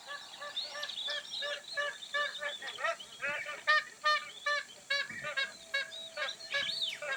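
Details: Several magpie geese calling together: a steady stream of resonant, nasal honks, often doubled or tripled in quick succession, with some higher, rising notes mixed in and no break across the whole stretch.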